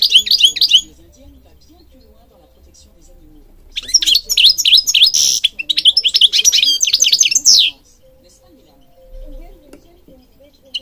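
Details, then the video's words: European goldfinch singing, a recording meant for training birds: a short burst of rapid twittering notes, then after a pause a longer run of quick liquid chirps and buzzy trills, closing with a falling slur. "Singing Goldfinch King goldfinch singing"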